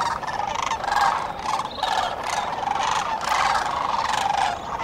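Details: Sandhill cranes at dawn on the Cosumnes River, a dense chorus of overlapping rolling, trumpeting calls from many birds, swelling and fading continuously with no pause.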